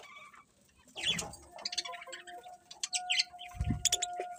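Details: Morning birds give bursts of high chirps and squeaky tweets over a steady faint hum, with a couple of low knocking sounds.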